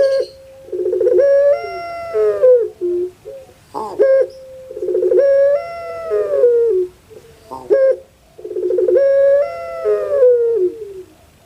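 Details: Pet puter pelung from Java, Indonesia, whose call is likened to a crying child: three similar long coos about four seconds apart, each a gravelly stutter swelling into a held, wavering tone that bends downward.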